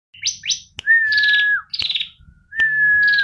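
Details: Female bar-winged prinia singing: steady, level whistled notes held about half a second each, alternating with buzzy, descending trilled phrases and short rapid high sweeps; sharp clicks between phrases.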